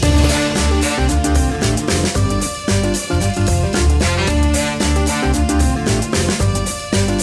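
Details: Loud, rhythmic electronic music with heavy bass and steady beats fills the recording throughout, with no animal sounds.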